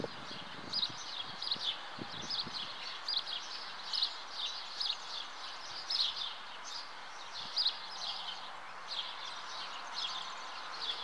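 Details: Common house martins at the nest: a steady stream of short, high chirps and twitters, several per second, overlapping throughout, with faint low knocks and rustles early on and soft background noise.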